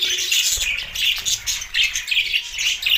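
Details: Budgie chirping: loud, harsh warbling chatter in short bursts of scratchy chirps, crowded and continuous, with low background thuds.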